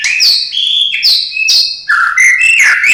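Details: Murai batu (white-rumped shama) song laced with imitations of cililin, sparrow, lovebird and canary: continuous bright whistled phrases shifting between high and lower pitches, with slurred glides and quick buzzy chatter, loud and unbroken.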